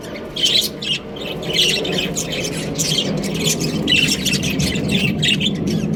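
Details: Australian budgie breeding pair giving short high chirps about once a second over a loud, steady low rumbling background noise.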